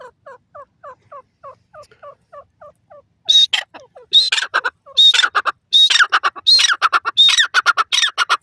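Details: Francolin (teetar) calling: a steady series of soft, downslurred chirps about twice a second, then loud, harsh, grating bursts given in quick, rattling phrases with a thin whistled edge.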